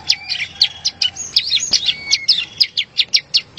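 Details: Bar-winged prinia song used to train competition birds: sharp, high chips with twisting whistled slurs in between, then a steady run of evenly spaced chirps, with a faint low hum in the background.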